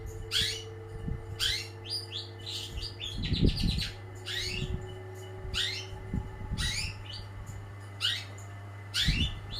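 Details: Champion long-tailed shrike singing vigorously, giving sharp downslurred whistled notes in clusters every second or so, some quick trilled runs, with soft low thumps and electrical hum.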